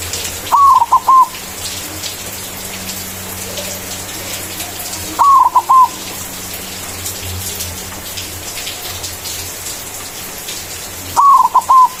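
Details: White zebra dove singing loudly in manggung style, a lure song that calls rivals: three cooing phrases spaced five to six seconds apart, each a smooth note breaking into short stutters, with a faint patter behind.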